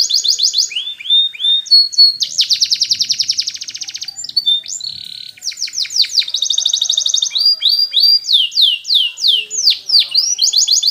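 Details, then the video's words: Singing canary for training young birds: long rattling trills of fast repeated notes, a short steady whistle, then chains of sweeping high notes, continuous and loud throughout. "Best Canary Sounds!! Suitable for training your canaries"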